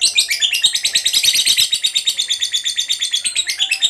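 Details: Lovebird singing in the long 'ngekek' style used as a lure to get other lovebirds singing: a dense, fast chattering trill of sharp pulsed notes, about three per second in groups, running continuously with slight rises in pitch.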